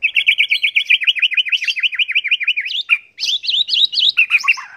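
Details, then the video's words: Contest-style white-rumped shama song used for training, rich in mimicked garden-bird notes: a rapid, even trill of about twenty sharp chirps over two and a half seconds, then higher twittering phrases. "MASTERAN MURAI BATU"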